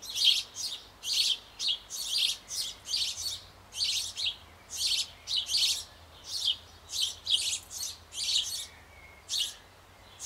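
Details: Fledging-age sparrow nestlings, fed by both parents at a birdhouse on an old apple tree in Bavaria. A steady stream of coarse, hissy high chirps, close to two per second for ten seconds, with a soft hum underneath.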